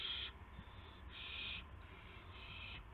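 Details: Owlets in the nest just after midnight on March 19, 2016, fed mice and a gopher by the adult owls; three rasping, hissy screeches separated by quieter gaps.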